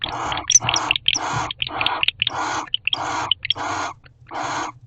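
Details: Barn owls guarding their nest box, owl box C, 12/1/23 around 5:41 am. Eight short, raspy, hissing screeches in a steady run, mixed with high, brief chirp-like notes and a constant low hum.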